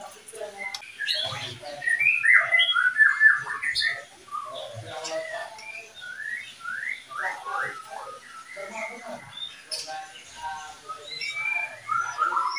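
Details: Kept breeding pair of oriental magpie-robins giving a long run of short rising whistled notes, repeated roughly twice a second, with some varied chirps and faint background murmur throughout.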